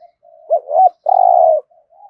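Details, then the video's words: Spotted dove coo in the 'thổ' voice style, for stimulating newly caught birds to call and fight: soft murmur, a rising double looping note, then a loud steady buzzy coo and faint trailing notes. "Tiếng chim cu gáy thúc gù + thúc đấu đủ bài giọng THỔ giúp bổi nhanh nổi"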